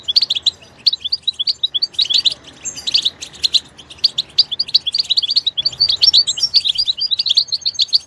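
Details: A goldfinch in natural surroundings delivers a long, fast twittering song of bright, high chirps and tinkling notes, broken by short gaps, with a faint background hiss.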